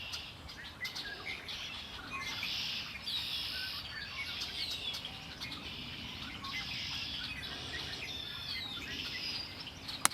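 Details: Lake Erie birdsong: repeated bursts of high, rattling trills from several birds, each lasting about a second, with a sharp click near the end.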